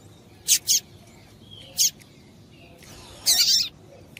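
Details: Calls of a female double-collared seedeater meant to excite the male: a quick pair of high sharp notes, a single note, then a longer rough chattering burst near the end.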